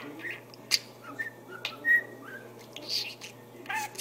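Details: A talking budgerigar gives scattered short whistles and chirps, some flat and pure, some sliding, separated by brief pauses over a faint indoor hum.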